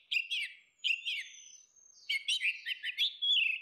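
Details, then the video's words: Orange-headed thrush, female versus male, open full song for luring: short warbled whistled figures, a thin sustained high note, then a rapid jumble of bright slurred notes. "SUARA ANIS MERAH BETINA VS ANIS MERAH JANTAN NGEPLONG || PANCINGAN ANIS MERAH"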